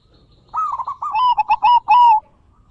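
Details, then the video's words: Zebra dove song offered to get other doves singing, in big, bekur and crystal voice variations; one continuous phrase of rolling, bubbly coos that slows into longer, clearer notes at the end. "Pancingan Perkutut Gacorrr dorrr- Solusi Macet Bunyi Variasi suara besar, bekur, kristal"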